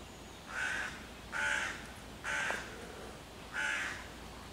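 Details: Hooded crow mobbing young raccoons near their den, calling loudly to chase away the predators and summon other crows; four rough caws at about one-second intervals, the last after a slightly longer gap.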